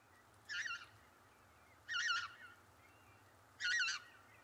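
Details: Lesser white-fronted goose calling: three short, high, yelping calls with wavering tone, spaced about one and a half seconds apart, over a faint steady background hiss.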